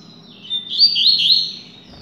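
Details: Caged coleiro, a double-collared seedeater raised for singing tournaments, pours out a short fast run of wavering, trilled high notes that swell and then fade, with a faint thump at the end.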